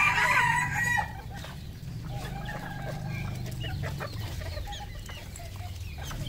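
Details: Red junglefowl on a farm in Cambodia: a loud, harsh harmonic call fills the first second, followed by softer, scattered calls over a steady low rumble.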